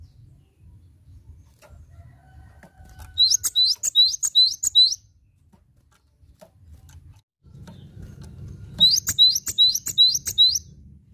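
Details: Energetic Cinereous tit song: two phrases of rapidly repeated high two-note figures, roughly six each, bright and piercing, with a quiet gap between them and soft low rumbling in the background.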